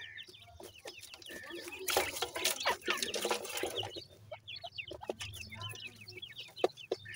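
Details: Dakhni teetar francolin chicks, a newly acquired pair, calling with rapid high cheeping chirps, briefly drowned by a burst of loud rushing noise before the peeps resume against a steady low hum.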